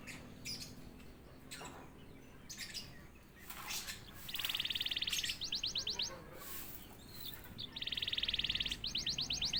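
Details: Canary singing after a single prompt: two bursts of rapid buzzy trills followed by quick repeated high sweeps, heard against a noisy background with clatter and rustling in the first half.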